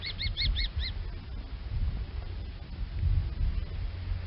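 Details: Common kestrel giving five rapid, piercing, slightly arched kee notes within a second. Heavy low rumbling noise continues underneath and afterward.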